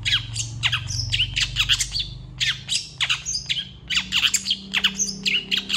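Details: Long-tailed shrike in vigorous full song packed with mimicked fillers: rapid harsh chattering bursts and downward-sweeping high notes in dense clusters, with a faint low hum beneath.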